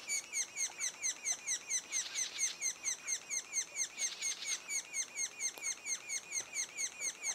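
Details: Continuous chorus of sapsucker young in their nest, two days before they first fledge, giving quick descending raspy notes about twice a second, with brief louder overlapping bursts from more than one bird.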